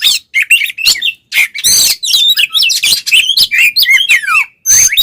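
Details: Oriental magpie-robin pouring out a dense fighting song to provoke rival males: continuous tumbling whistles, sweeping slides and rough chattering bursts with hardly a pause.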